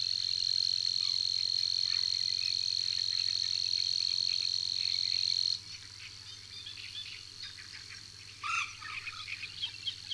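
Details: Savi's warbler at Tancat de l'Illa giving its persistent song: a steady, unbroken high buzzing reel held for about five and a half seconds, then cut off, leaving scattered chirps and twitters of other birds in the background.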